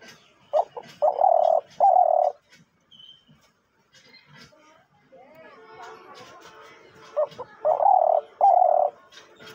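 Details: Captive decoy hunting dove keeps calling even with its beak held: a short note, then two or three steady low coos in quick succession, a quiet gap with handling noise, then the same series repeated.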